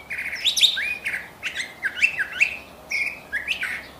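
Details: Curve-billed thrasher, known locally as huitlacoche, singing a lively run of varied whistled phrases, rising and falling slurs and sharp chirps in quick bursts with brief pauses between groups.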